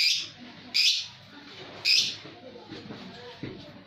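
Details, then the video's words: Birds singing: three loud, sharp high chirp bursts about a second apart, then softer faint chirps, with low murmuring background noise throughout. "Birds singing happily"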